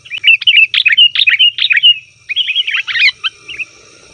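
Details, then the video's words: Sooty-headed bulbul calling noisily, meant to lure wild birds: lively runs of bubbly, slurred chirps repeated rapidly, a short pause, then a second chattering phrase that fades. "suara burung kutilang ribut||ampuh untuk panggilan kutilang di hutan,kutilang di rumah pasti Nyaut"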